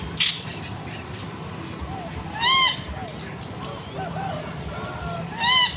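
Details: Male Bronze-winged Jacana singing to attract a female during breeding, played back: two loud nasal, harmonic calls about three seconds apart, with softer short notes between them over a steady low hum.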